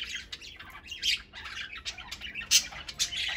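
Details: Pet parakeets of mixed ages playing, eating and lounging; bright scratchy warbles and squawks in quick uneven bursts, several birds overlapping, with louder harsh notes near the middle and end.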